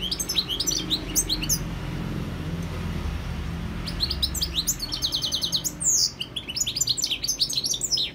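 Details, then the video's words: European goldfinch giving bursts of high, jangling twitters, first a short phrase, then after a gap of low rumbling background noise a denser, faster run of chirps and trills. "GOLDFINCH SINGING 1H Chant Chardonneret اسمع واستمتع صوت الحسون البري Jilguero Campero"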